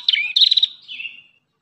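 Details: Brief Ashy tailorbird phrase: a sharp high note, a quick buzzy trill, then a softer fading whistle that trails off.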